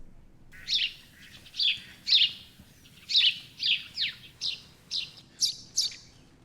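Eurasian tree sparrow giving a series of about ten short, harsh chirps, roughly two per second, high-pitched and slightly varied, with a quiet background.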